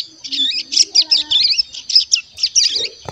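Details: A one-month-old crescent-chested warbler chick in a cage practises its warbling: squeaky, twisting high notes delivered in quick, rhythmic bursts, ending with a sharp knock.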